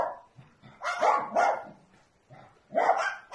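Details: Small bird barking like a dog: three short, hoarse, dog-like barks in two bursts, separated by quiet gaps, with softer low grunts between them.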